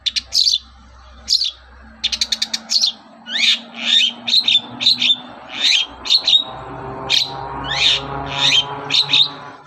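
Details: Long-tailed shrike in lively morning song, meant to provoke other shrikes into singing: a quick stutter of clicks, then a steady string of sharp, slurred high notes about every half second over a faint background drone.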